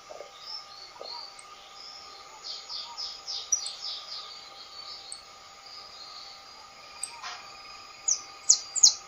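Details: Saffron finch, called canário da terra, singing a loose series of high chirped notes, a rapid cluster of descending slurs in the middle and a few sharp bright notes near the end, with quiet gaps between phrases.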